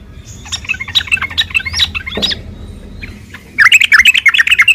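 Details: Sooty-headed bulbul in combat, recorded to provoke other birds: scattered whistled and rising notes over two seconds, a quiet pause, then a burst of quick, bright chatter.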